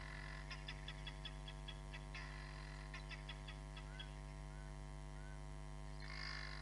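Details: Hamerkop at Nkorho Bush Lodge, filmed by a live camera on 31 July 2021, giving short bursts of rapid, sharp repeated notes over a steady low electrical hum.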